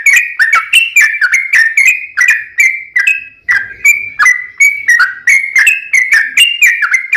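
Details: Yellow-vented bulbul singing vigorously in a long rapid-fire style, used as a lure to get other bulbuls calling: lively, chortling whistled phrases, tumbling up and down, with only a brief gap midway.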